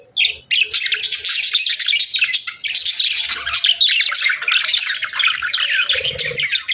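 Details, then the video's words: Budgies keep up a continuous high chatter of warbling chirps and scratchy notes, several birds overlapping with hardly a pause. "Budgies Chirping Sounds"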